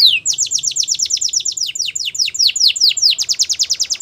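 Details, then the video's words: Canary singing a training song: a rapid, even trill of downslurred whistles, roughly six per second, slowing slightly midway and speeding again, clear and loud throughout. "Canaries Singing !! The Best Canary Training Song"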